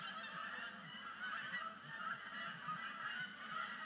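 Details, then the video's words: Canada geese arriving at Sapsucker Woods Pond at sunset on 5 October 2019, first sunset splashdown of the season as migration begins, honking in a dense overlapping chorus of nasal calls over a low rumble. "Canada Goose Sunset Splashdown"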